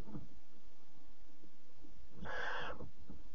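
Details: Barn owl nest at night, 03:00 on 26 July 2017, with the mother carrying a bird for chick four; after faint shuffling comes one loud, harsh half-second hiss.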